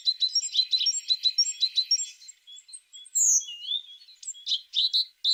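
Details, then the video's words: Tit song made of quick, evenly spaced high chirps for two seconds, followed by a drawn-out whistled slur and scattered sharp notes. "The sound of a tit singing"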